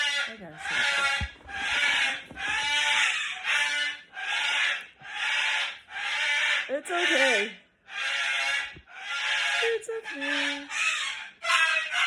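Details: Pet cockatoo screaming indoors after pulling its owner's glasses off, which sets two other pet birds screaming too; harsh, broadband screeches repeated roughly once a second for the whole stretch, with a woman's soothing voice between them.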